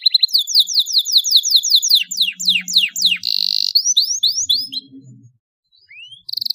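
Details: Canary song used as a tutor recording for training young canaries to sing: rapid rising whistled sweeps repeated about twice a second, then a buzzy trill and further upward-sliding notes, with a low hum beneath.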